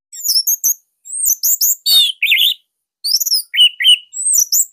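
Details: Loud, dense song of a kept orange-headed thrush, used to coax other thrushes into singing: rapid sequences of high squeaky whistles, buzzy notes and trills, pausing once briefly before resuming.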